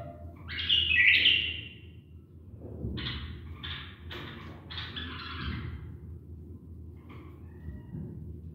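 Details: Tame pet bulbul singing during mating training: one loud warbled, whistled phrase near the start, then scattered short bright chirp bursts and faint notes over a low background hum.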